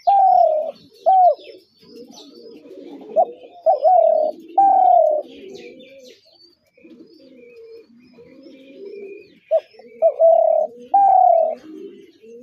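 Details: Spotted dove repeatedly giving mid-pitched coos, some short and hooked, others drawn out, in clusters at the start, middle and end, with a softer, lower, rolling cooing running underneath between them.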